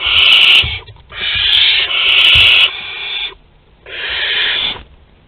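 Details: Barn owl family at the nest in Théding, France, 22 August 2020, agitated during a food delivery: rough rasping hisses, one short then two long run together, a pause, then a final one.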